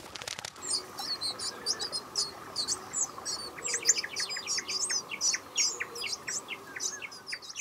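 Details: Japanese paradise flycatcher (black paradise flycatcher) chicks beg in the nest with rapid, thin, high chirps, several per second, joined midway by a run of lower squeaky notes over a steady background hum.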